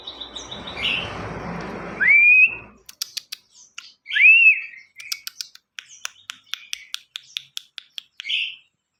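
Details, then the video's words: Ciwah in active song, used as tutor audio for training other songbirds: two loud upslurred whistles and a buzzy note, followed by a long series of dry ticking clicks, over brief rustling noise early on. "Ciwah gacor utk masteran burung"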